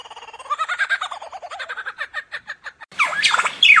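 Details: Lyrebird making a varied sound: a long run of rapid, evenly pulsed whistled notes that slow and thin out, followed by a harsh, rasping burst of high notes.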